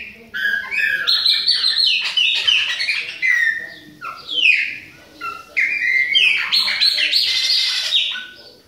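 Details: Young Chopi blackbird from Bahia in autumn giving a long continuous song of liquid whistles, rapid slurred notes and sweeping descending phrases, loud and varied, with only brief breaks between segments.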